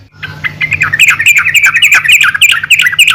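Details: Lively, dense chattering from a female yellow-vented bulbul calling to others, with bright, bubbly notes tumbling over one another several times a second, loud and continuous.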